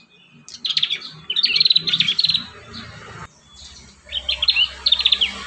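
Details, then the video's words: Prinia song played to coax young prinias into singing: quick runs of high, clipped chirping notes in two bursts separated by a brief gap. "Masteran | pancingan burung prenjak muda | prenjak bakalan"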